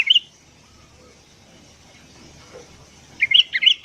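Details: Morning song of a sooty-headed bulbul, recorded as a lure for wild birds: one sharp whistled note, a long near-silent stretch, then a closing burst of bright, tumbling whistled notes.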